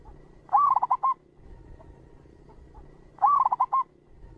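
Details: Zebra dove of the local type, recorded as a clear lure for trapping: a brief rising note followed by quick staccato coos, the phrase given twice about three seconds apart over a quiet background.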